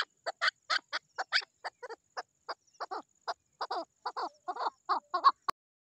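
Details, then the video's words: Partridge calling: a long series of harsh, throaty clucking notes, about twenty in six seconds, with uneven spacing that tightens into quicker doubled notes toward the end, against a silent background. "best sound partridge"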